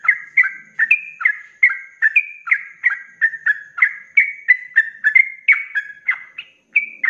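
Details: Sooty-headed bulbul in full ropelan flow, recorded as master song for kept birds: dense run of mellow, slightly husky whistled notes at a quick regular beat, pausing briefly near the end before resuming.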